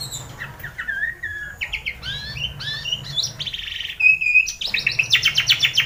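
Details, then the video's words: White-rumped shama song used in the morning to get a silent bird singing: a varied string of clear whistles, short slurred notes and buzzy rattles, ending in rapid repeated high chips. "pANCINGAN masteran pagi agar MURAI BATU gacor!!! Macet bunyi langsung nyaut on full emosi"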